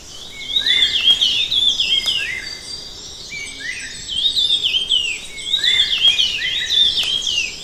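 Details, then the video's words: Song of the red-tailed minla: repeated bright, jumbled whistled phrases of rising and falling notes, several overlapping close together, with short pauses and faint clicks in the background. "Khướu lùn đuôi đỏ | Red-tailed minla | Minla ignotincta"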